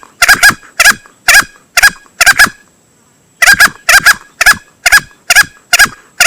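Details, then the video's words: Male green junglefowl crow used to lure birds when hunting: rough two-part calls repeated rapidly, broken by a one-second silence midway, then resuming at the same brisk pace. "Suara pikat ayam hutan hijau jantan"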